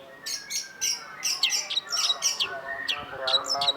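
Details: Long-tailed shrike in a master recording for songbird training: a dense, fast jumble of chattering, squeaky and slurred notes, varied in pitch, with no gaps.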